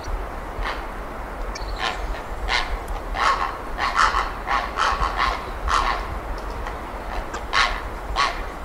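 Grey heron giving harsh, rasping croaks at an uneven pace, roughly one a second, over a steady low rumble.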